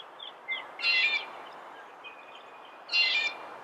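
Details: Red-bellied woodpecker giving a burry, rolling call, then a similar one two seconds later, with faint chirps between them in a noisy background.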